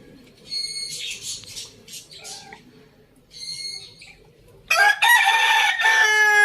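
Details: Rooster in a farm village; a loud, harmonic crow breaks in late and holds strongly to the end, after earlier bursts of higher, squawky, harsh calls separated by short quiet gaps.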